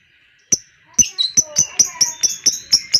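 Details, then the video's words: Lovebird lure call in ngekek style for setting off other lovebirds: after brief silence, a brisk series of sharp, high chirps, about four each second, steady and insistent. "SEMUA LOVEBIRD NGEKEK PANJANG, dengar suara pancingan ini Lovebird lain ikut Gacor Ngekek panjang"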